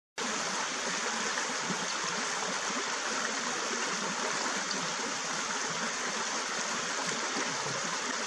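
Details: Steady rushing water, like a stream or trickle, fills the whole recording; no animal calls can be picked out.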